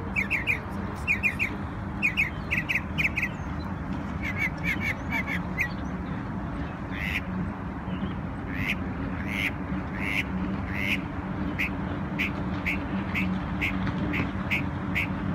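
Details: Bird singing in New York on Memorial Day: quick doubled and tripled chirps in bursts, then a long regular series of single sharp upswept notes roughly every second, over continuous low hum.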